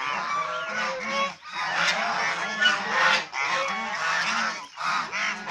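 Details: Chinese swan geese kept as domestic birds; honking comes in loud grouped bouts separated by short pauses near 1.4, 3.3 and 4.8 seconds, each bout a tangle of nasal calls.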